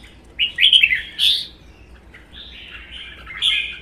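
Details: Caged red-whiskered bulbul singing in a contest against another bird, including a wild-caught adult kept one season. A quick cluster of bright, tumbling whistled notes, then a quieter pause and a longer slurred phrase.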